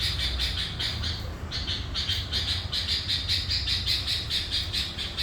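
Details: Sooty-headed bulbul used as a lure bird for catching wild bulbuls, giving a fast run of repeated chattering notes, roughly two to three per second, over a low rumbling background.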